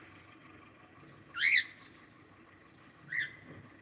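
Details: Cockatiel calling twice, about two seconds apart: each call is a loud, slurred, rising-then-falling screech over faint high whistles and steady background hiss.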